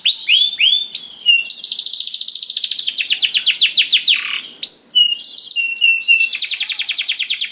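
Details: A canary sings to get other canaries singing: quick upswept chirps, a long accelerating trill, a brief falling note, then flat whistles and a rapid rolling trill.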